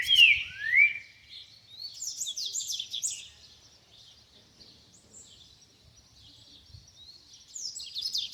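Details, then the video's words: Double-collared seedeater singing in the wild: opening with clear, descending slurred whistles, then buzzy high warbled phrases, quiet pauses and a final burst of high notes. "COLEIRO CANTANDO NA NATUREZA"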